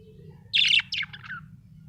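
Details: Happy budgie chirping: a loud harsh high note, then a softer warbled trailing phrase sliding downward, with a faint hum in the background.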